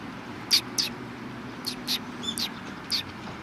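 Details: Several sparrows recorded on 10 March 2019, giving about six short, sharp, high chirps at irregular intervals, some close together in pairs, over a steady low background hum.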